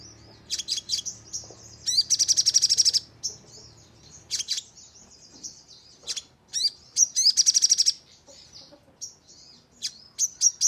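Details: Crimson sunbird (sogon) lure recording to trigger 'nembak' singing: isolated piercing high chips alternate with two dense, machine-gun-like bursts of rapid repeated metallic notes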